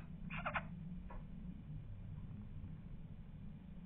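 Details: Four-day-old black redstart chicks in a nest on a house terrace in the Sierra de Madrid, Spain, as the female arrives with caterpillars, give a quick burst of scratchy, buzzy calls, then a fainter call, over a steady low rumble.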